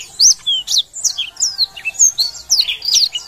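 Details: Black-throated canary in energetic song: crisp, very high notes about four per second, each a quick whistled sweep up or down, some twisted into chirpy flourishes.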